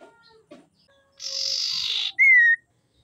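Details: Female common iora calling to lure males and make them sing: one dry, buzzy rattle under a second long, followed by a bright, level whistle that slides slightly downward.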